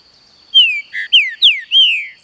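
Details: Song phrase of a green-winged saltator held by an authorised breeder, set to forest sounds: a falling whistle, a low buzzy note, two more steep downslurred whistles and a long descending closing note, with a thin steady hum underneath.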